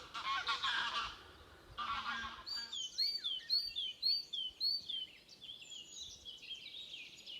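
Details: Wild birds in a forest at Beder near Aarhus, Denmark, close to Moesgaard Museum. Two broad rustling bursts come first, then a series of bright high notes, each swooping downward, repeated about every half second. Fainter thin whistles follow.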